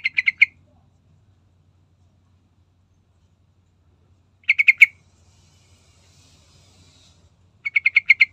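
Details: Yellow-vented bulbul singing in a lively full-fill style, used as a lure to get other bulbuls singing: short bursts of five to six quick, bubbly chattering notes, about two phrases spaced several seconds apart, over a faint low hum.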